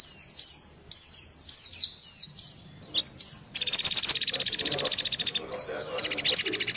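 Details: Clear high white-eye whistles in a mixed lure recording, each note sliding down and repeated about twice a second, joined midway by a buzzy rattling trill from another bird.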